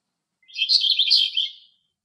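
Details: Male eastern black-eared wheatear singing in Greek nature: a single scratchy, rapid warbled phrase of about one second, jumbled high twittering notes with a brighter burst midway, then silence.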